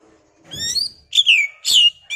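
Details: Oriental magpie-robin song used as a lure to agitate another magpie-robin into singing: a rising whistled phrase with bright overtones, then two sweeping, slurred whistles dropping in pitch, with a faint low thump beneath.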